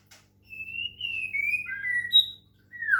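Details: Caged white-rumped shama from Medan, kept with water-sound therapy to bring on full song: long clear whistled phrases, slightly falling and sliding between pitches, then a short bright note and a final rising-falling whistle, over a low steady hum.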